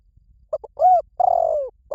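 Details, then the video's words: Luring call of a spotted dove: two soft clipped notes, a smooth arched coo, then a long, burry, descending note. Clean recording with no other sounds. "เสียงนกเขาใหญ่ หมานๆ ต่อเข้าเร็ว ป่าไหนก็เข้า"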